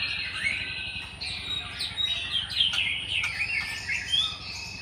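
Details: Java sparrow singing in the wild: a jumbled, fast run of high chirps and short twittering notes, some rising and some falling, continuing throughout with a steady low hum underneath.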